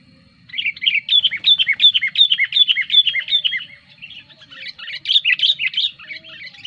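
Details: Sooty-headed bulbul lure song, lively and used to draw wild birds close and to tutor caged birds: about a dozen quick bubbly two-note phrases dipping from high to lower pitch, then a looser burst of chattering notes.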